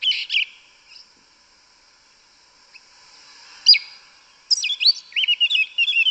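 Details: Yellow-legged thrush in the forest, 'canto mateiro' song: a brief whistled phrase, a long near-silent gap with a lone sharp note, then a dense burst of fast twisting, chattering high notes.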